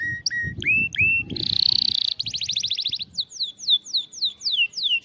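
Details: Singing canary, played so a silent canary will start singing: rising whistled notes, a buzzy steady tone, a rapid pulsing trill, then a run of repeated descending slurred whistles.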